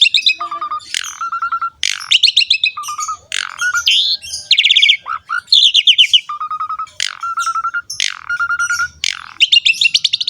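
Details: Asian pied starling song for training young birds, both male and female: busy mix of flat whistled notes repeated in short series, twittering chirps and buzzy bursts, continuous and loud throughout.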